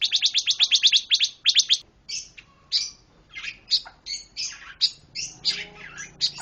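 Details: Pancawarna bird singing energetically: opens with a rapid run of sharp high chips, then shifts to scratchy, varied chirps and slurred whistles in irregular bursts.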